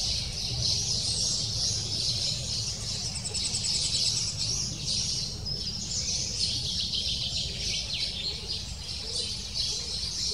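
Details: Nestling lesser spotted woodpecker begging persistently from its nest hole, a shrill run of rapid, thin repeated notes at a steady loudness, with low-pitched background noise throughout.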